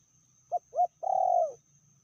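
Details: A female spotted dove, said to be fiercer than the male, gives one medium-strength call: two clipped coos followed by a longer vibrating, slightly falling coo, over a low hum.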